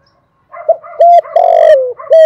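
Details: Decoy dove recording: loud, clean cooing notes, several drawn-out hooting coos in quick succession with a longer, rough, slightly falling middle note, no other sounds.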